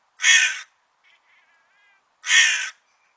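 A crow gives two loud, harsh, rasping caws about two seconds apart, with faint softer notes between them.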